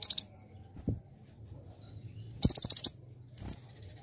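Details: Olive-backed sunbird, or kolibri ninja, in a training recording for other birds. Brief high chattering bursts are separated by quiet gaps, with a soft thud and faint thin notes between them.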